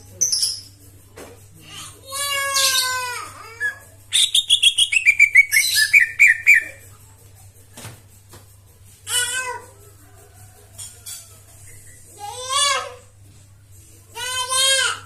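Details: Greater green leafbird, kept as a cage bird, delivering a varied song: rich descending slurred phrases, a fast rapid-fire burst of repeated notes, then scattered warbled trills with pauses between; a low hum underlies it.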